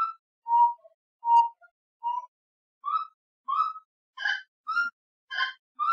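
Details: Gray-necked wood rail, known in Brazil as saracura-três-potes or sericoia, calls in a loud repeated series, starting with hollow hoots and building to harsher, harmonic squawks, steady rhythm near two notes per second, no other sounds.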